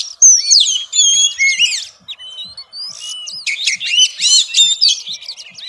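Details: Female Oriental magpie-robin, xùy singing meant to stimulate males: varied, fast whistled phrases and chattering notes, a quieter middle stretch, then a dense, loud burst of twittering.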